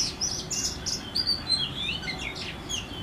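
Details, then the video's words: An Oriental magpie-robin (Copsychus saularis) in a backyard in Howrah, West Bengal, India, sings a rich, varied run of clear whistles, short sweeps and chirps, high and quick, over a faint low background hum. "Lullaby By An Oriental Magpie Robin"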